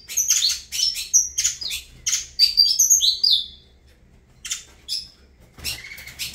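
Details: Saffron finch of the Avalanche song style, singing bright high chirped phrases in bursts with short pauses, a quieter sharp note group after a gap.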